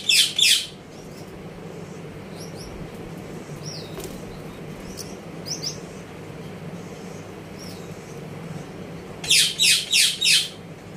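Gouldian finch giving short, high, thin calls in quick bursts of three or four, with softer faint chirps between and a low steady hum underneath.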